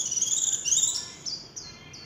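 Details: Warbling white-eye singing in the 'líu chòe' style, recorded without background noise: a thin, very high, rapid twittering warble for about a second, then a few short, clipped high notes spaced apart, fading out.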